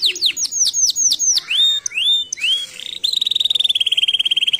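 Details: Canary singing a clear, loud phrase: a run of sharply descending chirps, then several rising whistled notes, ending in a rapid, even trill of high pulses.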